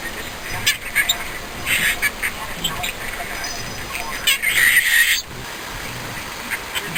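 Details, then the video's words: Harsh scratchy chatter from a pet green-cheeked conure, several rapid squawks bunched together, then a quieter stretch, with a person's voice alongside. "Green Cheek Conure Compilation; Parrot Talking"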